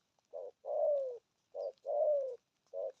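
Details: Spotted dove giving the 'gù thúc' coo: a short hoot leading into a long, falling, throaty coo, repeated twice, and a third short hoot at the end.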